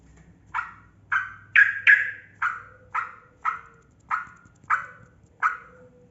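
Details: Yellow-vented bulbul (trucukan kebo) used as a lure to get quiet bulbuls singing: ten loud, throaty, bubbling notes spaced roughly every half second, with a faint low hum beneath.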